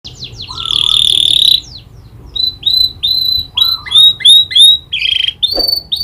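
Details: Domestic canary singing a lively song trained with prinia (prenjak) clicking phrases: buzzy high trills, then a series of short rising whistled notes repeated about every third of a second, ending with a harsh rasp.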